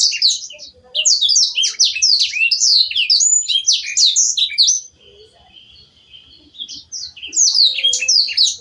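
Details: Canary master song for training songbirds: a fast, high-pitched stream of chirps, trills and sweeping whistles for nearly five seconds, a quieter pause, then another bright burst of twittering.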